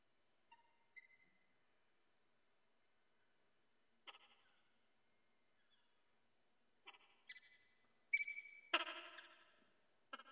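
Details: Male peregrine falcon in the nest at Sussex Heights, Brighton, UK, inviting the female on the platform before she departs, 25 February 2016 at dawn; sparse, short harsh calls build into louder grating bursts near the end.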